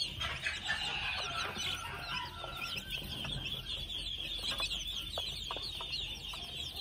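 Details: High, chirping peeps from two-month-old red junglefowl chicks, crowded and continuous, a few sharp clicks and taps scattered through.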